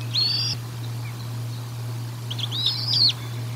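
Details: Bald eagles feeding at the Decorah North nest on 04 01 2022, heard through a nest camera: two high, arched whistled calls about two seconds apart, the second longer and wavering, over a constant low hum.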